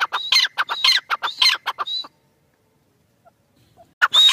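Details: A francolin delivers a run of loud, grating, ringing notes for about two seconds, then falls silent before another harsh burst starts.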